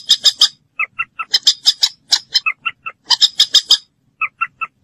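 Common moorhen giving harsh, squawking notes in quick bursts of three or four, alternating with cleaner, lower 'kek' notes at about four per second.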